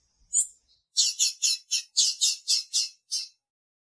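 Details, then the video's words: Female blue-black grassquit calling to excite the male: a high chip, then a quick series of about nine loud, scratchy notes delivered in about two seconds. "FÊMEA DE TIZIU PIANDO E MACHEANDO PARA DEIXAR SEU TIZIU LOUCO"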